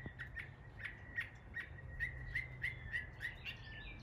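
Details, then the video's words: Mockingbird copying local birds in East Tennessee, giving a rapid series of thin, steady, clipped whistled notes, several per second, fairly soft against a quiet background. "A mockingbird imitating the sounds of local birds in East Tennessee."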